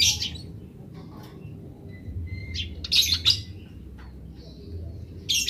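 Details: Wild Eurasian tree sparrows giving grece calls while wild birds answer: bright noisy chirps in clusters with soft thin notes between, over a low background hum.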